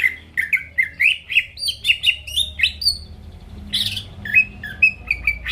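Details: Greater green leafbird song to provoke rival birds: quick series of whistled slurs stepping upward, a brief harsh burst, then evenly spaced short whistles.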